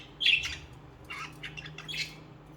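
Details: Pet budgerigars giving a few bright squeaky chirps and short warbled notes in quick bursts over a low hum.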